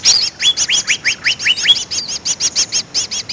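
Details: Greater green leafbird lure call: bright downslurred whistles repeated about every quarter second, easing into softer, evenly spaced looped chirps.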